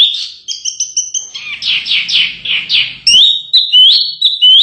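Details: Canary song meant as masteran for contest birds: high paired notes, then a buzzy series of repeated rasping syllables, then quick rising and falling chirps. A faint low hum sits underneath.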